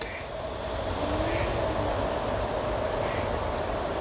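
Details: Rail transport noise with a steady mechanical hum and rumble, plus faint speech in the background; no animal voice.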